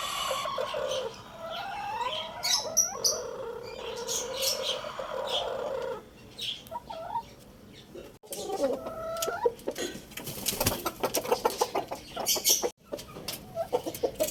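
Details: Lohmann Brown rooster crowing amid a noisy bird market at Lalukhet: a long, strained crow in the first six seconds, then scattered clucks, clicks and a din of chirping cage birds.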